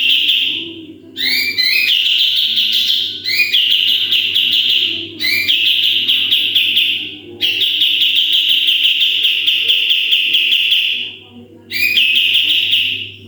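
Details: Sooty-headed bulbul song used to train other birds: repeated long, loud high trills of rapid whistled notes, each opening with quick rising chirps, with brief gaps between bursts and a low background hum.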